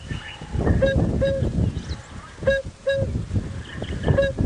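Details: An African Cuckoo, a migrant arriving around August–September, heard on a 5:45 AM sunrise drive on 13 October 2017 in Sabi Sand, South Africa, gives soft, low paired hoots repeated roughly every one and a half seconds, over engine rumble and quiet talk.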